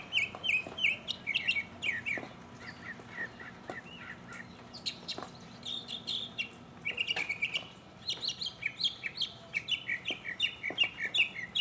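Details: Lone mockingbird in full song, recorded in 2015. A dense, varied stream of chirps, trills and slurred phrases, with each phrase type repeated several times before the bird changes to the next.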